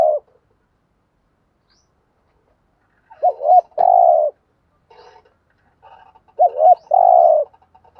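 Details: Spotted dove thúc gù cooing, aimed at drawing wild doves: two phrases of two rising hoots and a drawn-out tremulous coo, with a sharp click and faint background murmurs between them.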